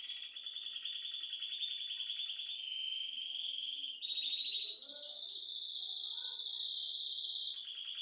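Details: Bird chirping indoors at home: a long, unbroken, very high rapid trill that shifts to a higher pitch midway and drops back near the end, with faint soft chatter beneath.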